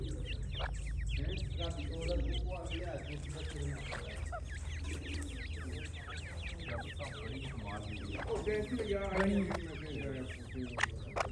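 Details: Francolin chicks giving a stream of high, overlapping peeps, mixed with lower clucking, stacked calls from an adult-sounding bird in the middle and near the end.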